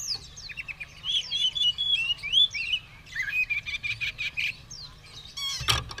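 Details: Oriental magpie-robin in fighting mood, tail fanned, singing energetically: fast run of bright whistles, swooping slurred notes and chattering chirps in close succession, ending with a short burst of broadband noise.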